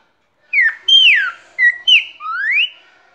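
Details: A tame cockatiel, the pair's singer, whistles a short song of five clear notes while perched on a hand, some sliding down and the last rising, in a quiet room.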